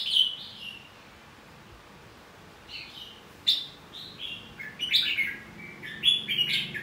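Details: Red-whiskered bulbul singing a fighting song meant to provoke rival singing: a loud whistled phrase, a pause, then a string of quick bright slurred notes building toward the end.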